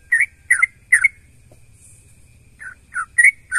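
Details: Sooty-headed bulbul song meant to stir other bulbuls to reply: three bubbly whistled notes, a second-long pause with a soft hiss, then four more warbling notes over a low steady hum.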